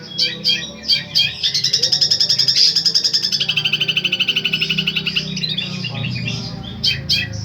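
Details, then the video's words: Long-tailed shrike with powerful repeated 'tembakan' phrases: a few sharp high calls, then a long, fast, evenly pulsed rattling trill, then scattered chips at the end, with low background hum. "Burung Cendet "Boomtrack" Full door"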